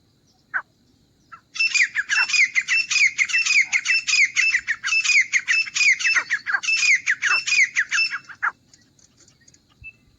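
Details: Grey francolin calling for hunting use: a loud, grating series of fast repeated notes with a shrill slurred whistle in each, running steadily for about seven seconds after a lone opening note, then stopping abruptly.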